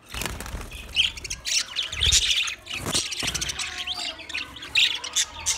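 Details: Many budgerigars, roughly twenty pairs, in a busy flock chorus: overlapping high chirps and harsh squawks, with some low thuds and rustling beneath.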